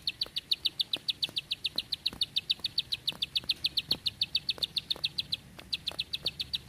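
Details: Bar-winged prinia singing a sustained, rhythmic volley of loud, sharp 'klik' notes, evenly spaced about four per second with one brief break, in the long tight 'tembakan panjang rapet' style.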